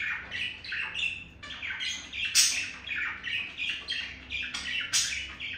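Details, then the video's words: Male budgerigar trying to woo a female with chirping and beak tapping; busy, scratchy warbling chatter with squawky notes and sharp clicks, nearly unbroken, against a low hum. "the male budgie trying to seduce Mirage the female budgie with chirping and beak tapping"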